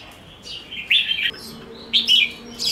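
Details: Red-whiskered bulbul in fighting song, two loud whistled phrases with quick falling notes separated by a quiet gap.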